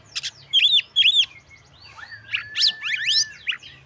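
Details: Oriental magpie-robin (kacer) song meant to provoke rival magpie-robins and raise their breeding urge; paired arched whistles, then rapid rising and falling swept notes and a thin sustained tone, over a faint low hum.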